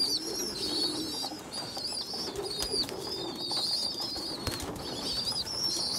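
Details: Young pigeons being fed by a poorly developed youngster: repeated high, wavering squeals in short bursts, some clicks and rustling, a soft low hum throughout.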